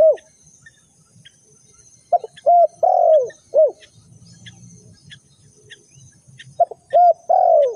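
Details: Spotted dove calling as a lure in bird trapping, repeating mellow coo phrases: clipped notes leading into longer downward-sliding coos, three bursts with quiet pauses, faint low rumble between.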